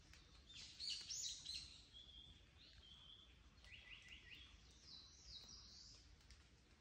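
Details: Japanese paradise flycatcher calling in the mountains at Mount Rokko, Japan, on 31 May 2022. Short high thin notes are followed by a quick run of several descending whistled notes in the middle of the clip, over steady forest background hiss.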